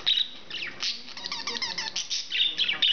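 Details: English budgie, a male pet bird, in steady chatter: rapid stream of buzzy warbles, high squeaks and clicking notes tumbling together without a break.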